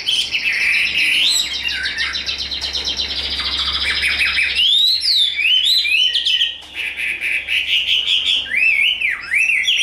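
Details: Fighting-display (đấu xòe) song of a tame, big caged Chinese hwamei: dense buzzy warbling, then a quieter break and a string of looping, bouncing whistled notes with a faint low hum beneath.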